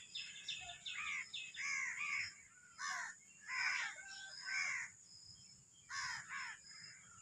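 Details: Black francolin (Sindhi kala teetar, Sahiwal type) delivering a rapid run of harsh, arched, harmonic notes in clustered phrases, pausing before a final pair, against constant hiss and faint low noise.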